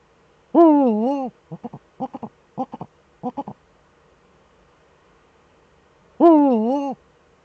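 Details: Eurasian eagle-owls, both birds in the nest hollow, webcam, 6 March 2013; a long rising-then-dipping harmonic wail, a run of brief staccato notes, a pause, then another wail.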